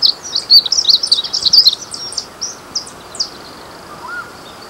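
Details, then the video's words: Glaucous-blue grosbeak (azulinho), a bird about 14-15 cm long, nearly a miniature of the azulão, whose females and young are brown, played back singing: a quick, tumbling run of high warbled notes, then a few spaced short phrases over steady background hiss. "fêmeas e os filhotes também são pardos vamos entrar um pouco do seu canto"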